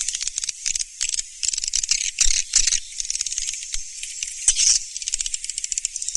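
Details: Surya Mentari swiftlet sound, 2019: rapid high clicking and rattling chatter in a steady stream, broken by louder buzzy bursts every second or so.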